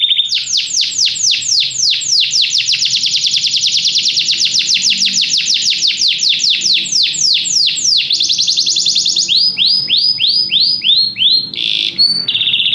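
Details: Canary singing at length, with long series of rapid repeated high sweeps, a sustained rattling trill, then slower separated swooping notes and a short buzzy ending.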